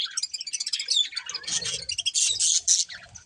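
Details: A breeding pair of colourful budgies gives quick twittering chirps and short warbled notes in a dense run. Some bright whistled tones rise above the chatter, and soft low knocks sound in the background.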